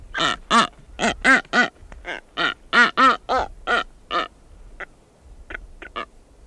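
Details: Female blue-footed booby calling close up while walking about the nest site: a series of loud, nasal, harmonic honks in quick succession, then a few softer, thinner honks after a short gap.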